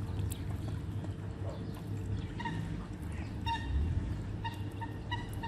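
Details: Canada geese being hand fed. Short nasal honks come in scattered pairs and small bursts, becoming more frequent toward the end, over a steady low rumbling hum.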